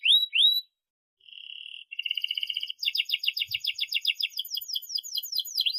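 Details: Long-singing canary as a tutor for juvenile canaries: two rising whistled slurs, a pause, a level whistled tone, then a fast rattling trill turning into rapid falling notes.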